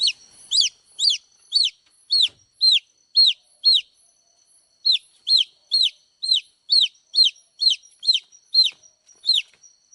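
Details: Young chicks peep loudly. Each shrill note drops quickly in pitch, in a regular series of about eight, a short gap, then a second run of about ten.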